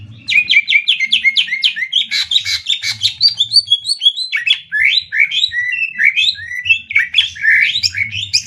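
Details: Greater green leafbirds duel in a rapid 'tembak' contest between Banyuwangi and Kalimantan birds. A quick run of rising chirps opens an unbroken, energetic medley of slurred whistles and chattering notes.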